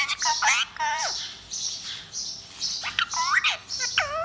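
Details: Naughty pet parrot said to talk in Urdu gives a string of rough, harmonic squawks that rise and fall, several short bursts over four seconds, with faint high chirping behind.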